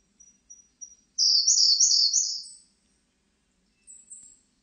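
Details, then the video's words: Siberian blue robin singing: three short, thin, high preliminary notes followed by a fast, rippling trill of about one and a half seconds. After a pause comes a brief, even higher thin phrase. There is little background noise. "쇠유리새, 1번 듣기, 곤충소리, 새소리"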